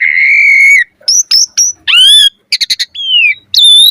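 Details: Song of an Asian pied starling meant for teaching birds to sing: a long steady whistle, then short chirps, a rising note, a burst of clicky pulses and a falling whistle.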